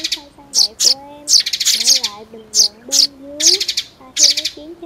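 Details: Sparrow chirping in a lure recording for net and glue trapping, meant to draw curious birds down: loud, sharp, high notes in bursts of two to four, roughly every half second, with gliding musical tones underneath.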